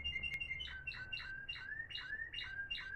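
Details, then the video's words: Timbrado canary of the Florealdo line, one of three top-class caged birds recorded in 2021, sings a run of short, even notes repeated about three times a second, each dipping slightly, over a low hum. "سنفونية رائعة لطيور تيمبرادو فلوريالدو"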